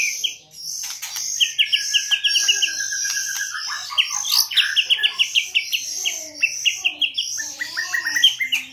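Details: Lure song of a white-rumped shama from 2022; long, inventive sequence mixing a sliding whistled glide, fast runs of sharp repeated notes and sweet warbled phrases, delivered almost without pause.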